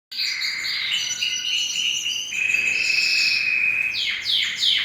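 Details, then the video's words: Canary singing, a continuous high song of sustained whistled notes and rapid trills around 2-5k, ending in quick descending sweeps; no other sounds. "Super canary singing and breeding video ever"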